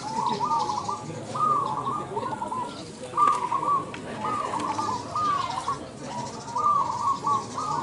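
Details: Zebra dove in a singing competition in Indonesia, producing a long series of quavering, bubbly coos in brief bursts, several per second, over steady background noise and distant murmuring.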